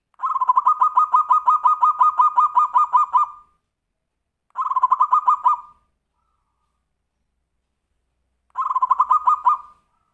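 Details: Kutut, or zebra dove, giving Tumpang Sari song meant to stimulate other birds to sing: a long run of about fifteen fast, evenly pulsed coos lasting three seconds, followed by two shorter bursts of the same rolling notes.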